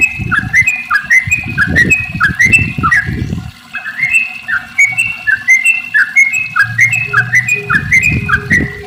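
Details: Sooty-headed bulbul in long rapid 'ropel' song, played to prompt other bulbuls to sing: steady series of short bubbly whistled phrases roughly every half second, over intermittent low thudding noise.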